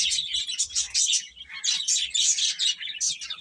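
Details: Baby chickens peep rapidly and continuously, bright high chirps tumbling over one another from several chicks at once.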